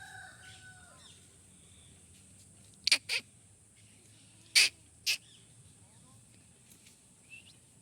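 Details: Molting pet Rose-ringed (ringneck) parakeet giving four loud, harsh screeches in two pairs, each pair about a quarter to half second apart. Faint whistles from other birds and a steady high insect hiss behind.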